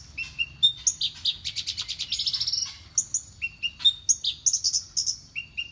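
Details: Champion-tuned Horsfield's bush lark, a mimic of prenjak, ciblek and sparrow songs, sings varied high whistles and a rapid ascending trill around the middle, followed by clipped chirps and short slurred notes.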